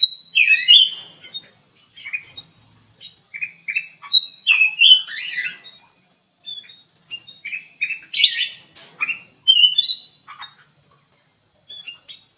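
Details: Caged black-capped bulbul in an aviary singing steadily: a run of slurred, bubbly whistled phrases with short pauses between, repeated over several seconds, and a faint constant high whine.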